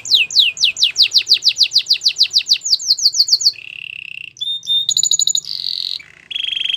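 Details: Canary training song with a long fast series of descending whistled sweeps, followed by buzzy rolls, metallic double notes and steady trills.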